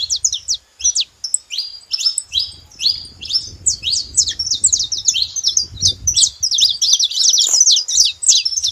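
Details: Several saffron finches in nature start with spaced sharp chips that quicken into a dense, rapid, high twittering run, with soft low background rumble.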